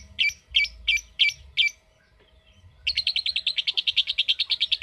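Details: Lovebird responding to a calling recording: five harsh, spaced squawky notes, a brief quiet gap, then a long rapid chattering 'ngekek' trill of high repeated notes.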